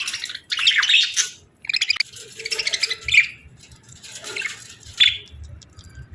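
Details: Softer budgie chirping arrives in several scratchy twittering bursts with short bright notes, separated by quieter stretches.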